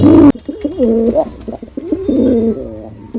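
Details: Male pigeon giving a super performance: after a sharp knock at the start, low throaty cooing follows in rolling, wavering phrases with gliding, bubbling tones, repeated without pause over about three seconds.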